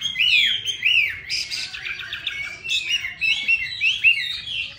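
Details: Chinese hwamei from Hanoi, noted for its beautiful voice, sings varied phrases: arched whistles, a burst of harsh buzzy notes, then quick chattering and clear slurred whistles.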